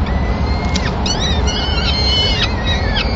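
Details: At a peregrine falcon nest in Madrid, 26 April 2016, with the male bringing the chicks their first meal, a small bird; a long thin whistle leads into a series of sharp, bending cries over low rumble.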